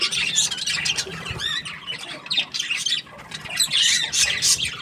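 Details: Happy budgerigar chirping in a dense, busy warble of high, scratchy chirps and short squawks, with quick fluttering notes that rise and fall and barely pause.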